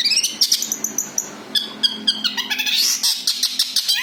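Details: Long-tailed shrike singing its natural song without mimicked phrases, suited for use as a lure for other birds; loud, rapid, varied high chattering with harsh notes, trills and a rising whistled slur at the end.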